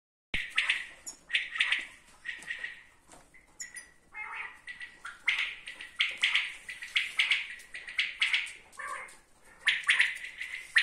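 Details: Common quail calling, dense overlapping bursts of sharp, buzzy triple-note phrases repeating about once a second, with some irregular squawk-like notes between them.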